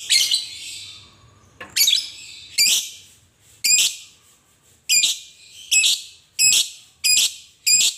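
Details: Fighter lovebird calling to provoke other lovebirds to sing: a rough opening chirp followed by a series of sharp, piercing high notes, spaced roughly one per second and growing more regular.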